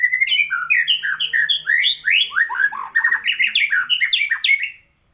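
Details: White-rumped shama (murai batu) singing in masteran style: a rapid, unbroken stream of varied whistled and slurred notes, swooping up and down in dense overlapping phrases for nearly five seconds before stopping abruptly, over a quiet background.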